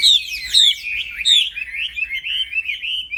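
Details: Tutor song of a black-throated laughingthrush in the 'gacor plong fighter' style: sharp, very high whistled slurs at the start easing into a smooth, steady stream of warbled notes.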